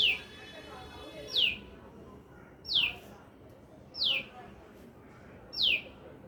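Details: A bird in a lemon tree chirps five times, each note a brief high slur dropping in pitch, repeated at fairly even intervals of about one and a half seconds.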